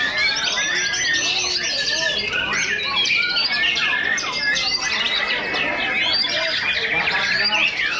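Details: Contest duel of white-rumped shamas ranked first and second: continuous tangle of loud sweeping whistles, fast rattling trills and scratchy notes from several birds singing together, barely a pause throughout.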